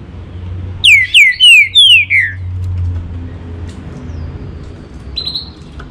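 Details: Green-winged saltator giving a rapid run of five bright whistled notes, each sweeping downward, about three per second, then a softer high note later over a low steady hum.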